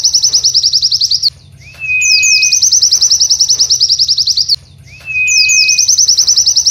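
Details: White-eye training song for cage birds, said to imitate a canary: long loud runs of rapid, evenly repeated high buzzy notes, broken by brief gaps and a lower, steady whistled note before each run resumes.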